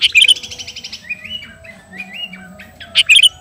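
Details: Garuda sooty-headed bulbul calling to a rival: a fast burst of sharp chirps opens, followed by soft downward-sliding whistled notes and a final cluster of bright chirps.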